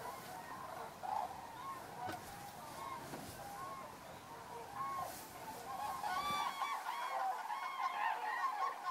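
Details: A large flock of common cranes arriving at their roost in the evening, Federow, Germany, early October 2018, birds unusually close over shallow water. Loud overlapping trumpeting calls build in volume, with harmonics-rich calls becoming denser near the end.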